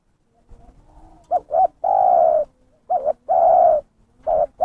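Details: Spotted dove (terkukur) calling on a lure track for trappers: short double notes and long sustained coos, repeated three times, clear and loud.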